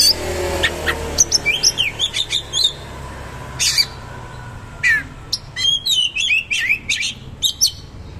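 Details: Oriental magpie-robin in a vigorous coarse song with shooting rolls and rich fillers. Quick clusters of chirps, upslurred whistles and twisting notes alternate with brief pauses and harsh bursts.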